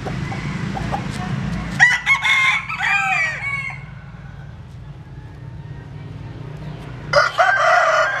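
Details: Bantam chicken of Japanese-Cuban type sunbathing in rural southern Vietnam; a wavering crow of about two seconds, a quiet pause, then another crow begins at the end, over a low steady hum.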